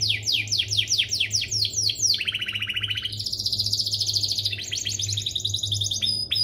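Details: Canary song used as a master recording to teach young birds: repeated descending whistled sweeps about four per second, then a buzzy low trill and a rapid high rattle, over a faint steady hum.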